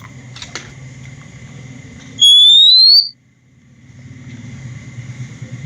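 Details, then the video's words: Kacer, the Oriental magpie-robin, recorded in the wild: a single loud pure whistle rising steadily in pitch, set against a constant low rumbling hum and a few knocks. "suara asli kacer di alam liar"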